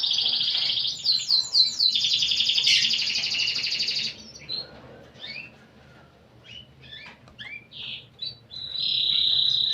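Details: Canary in lively 'gacor' song: about four seconds of loud, fast, ringing trills with stacked notes, then a quieter stretch of spaced single chirps and slurs, ending in a steady high trill.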